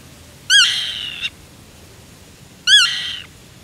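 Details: A black-tailed godwit (Limosa l. limosa) in June 2016 at Uitkerkse Polder, Belgium, gives two harsh, nasal calls about two seconds apart. Each opens with a sharp upward-bending note and trails off into a rasping tail over quiet background.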